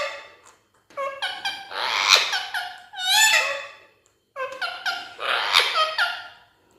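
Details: Pet rose-ringed parakeet talking to a mirror indoors: two bursts of speech-like mimicry, each with whistled, wavering tones that rise and fall, separated by a short pause.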